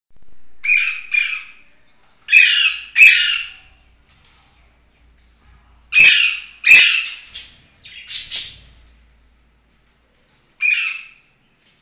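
Budgerigars give harsh, scratchy chirps and squawks in short bursts, with pauses between.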